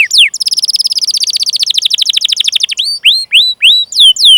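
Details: Canary song used as a training lure for young or silent canaries: a fast buzzy trill of rapid repeated notes, then slower sweeping whistled notes falling from high pitch, clean with no other sounds.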